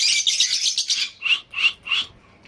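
Lovebirds chattering in a dense, shrill burst for about a second, then three separate harsh, high screeches about a third of a second apart.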